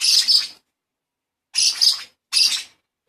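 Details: Baby lovebird chick being hand-fed while in training: three bursts of harsh, high chattering squeaks, each about half a second long, separated by short silences, nothing else audible.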